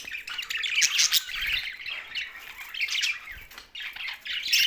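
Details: Budgerigars chatter in a group, making a busy stream of squeaky, buzzy warbles and chirps that swell in short bursts about every second.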